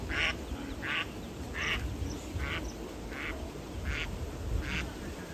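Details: Duck or duckling in a pond quacks steadily, about seven short nasal quacks roughly every three-quarters of a second, over a low background rumble.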